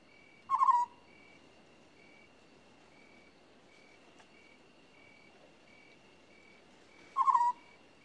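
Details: African scops owl (Otus senegalensis) giving two short, low, croaky purring trills spaced nearly seven seconds apart, over a faint steady insect hum.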